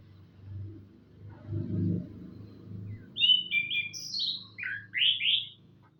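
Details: Orange-headed thrush in morning song: short clear whistled phrases, some rising and some falling, delivered in quick succession over a soft low rumble.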